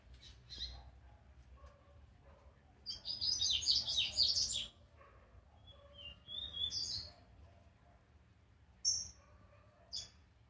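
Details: Young rusty-collared seedeater learning its first notes: a dense, scratchy high twittering burst lasting about two seconds, then short thin whistled slurs and a few sharp high chips separated by quiet pauses over a faint low hum.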